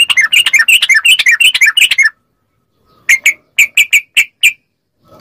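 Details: Yellow-vented bulbul, known as trucuk, in training audio to prompt captive birds to answer: a rapid tumbling burst of bubbling notes for two seconds, a pause, then a steady run of clear, evenly spaced chirps.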